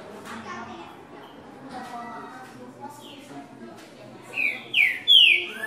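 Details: Green-winged saltator (trinca-ferro) giving loud, clear whistled notes, some rising and falling, in the last second and a half, after faint background voices and chatter; a six-note song with a "boi" note in the middle, played to warm up birds.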